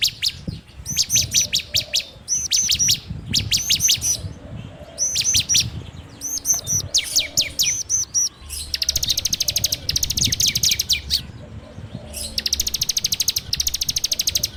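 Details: Bar-winged prinia song, Android recording made as a lure for training songbirds: long passages of rapid high trills and ticking rattles broken by clusters of descending whistles, continuous and loud throughout.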